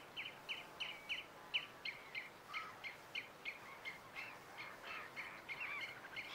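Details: Pied avocets at RSPB Titchwell Nature Reserve, September 2016. A dense, continuous run of short, sharp, piping notes, about three per second, sometimes overlapping, with faint hiss behind.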